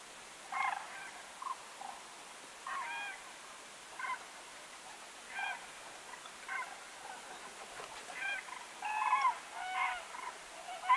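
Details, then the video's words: Common cranes in autumn giving spaced, trumpeting rolled calls every second or two, each harmonic-rich and fairly faint, with a quiet outdoor background. "Bird sounds - COMMON CRANE in autumn"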